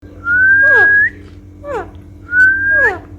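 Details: Pet parrot being cuddled, making long level whistles that rise slightly at the end, each ending in a quick descending buzzy sweep, with a separate short downward sweep between, a steady low hum throughout.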